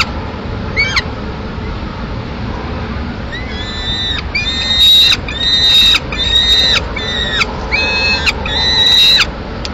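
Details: A lone peregrine falcon chick in Madrid, 22 May 2016, gives loud, harsh, wailing begging screams about once a second, demanding food as the female takes the male's swift to eat at a window; steady background rumble.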